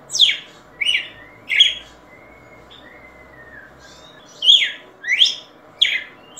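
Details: ['Red-cowled cardinal sings three quick slurred whistles, pauses with a couple of thin, soft drawn-out whistles, then resumes with four more bright swooping notes.']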